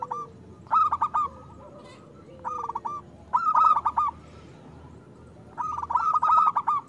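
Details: Vocal local zebra dove with a big voice, used as a lure and training sound for doves that rarely sing. Four rolling, stammering coo phrases repeat at irregular gaps over a quiet, low background coo.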